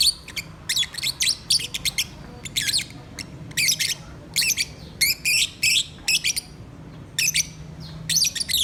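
Lovebirds chatter in shrill, squeaky chirps, delivered in rapid bursts of several notes with brief pauses between. A faint low indoor hum runs underneath.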